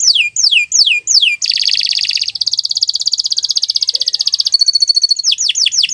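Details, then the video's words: Canary singing in a long training recording: several loud descending swept whistles, then a dense buzzy trill that shifts into a fast even rattle for about three seconds, ending with more sweeping notes. "Kicau Burung Kenari 178 II LUAR BIASA GACOR PANJANG Cocok untuk Masteran"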